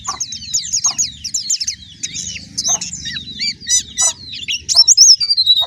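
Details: White-eye song: rapid high twittering phrases of thin, slurred notes tumbling over one another, with a steady low hum underneath.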